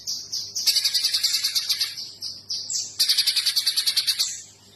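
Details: Streaked spiderhunter calling steadily: thin high whistles lead into a long, rapid series of sharp chattering notes, a short break, then a second strong burst of the same quick, piercing chips.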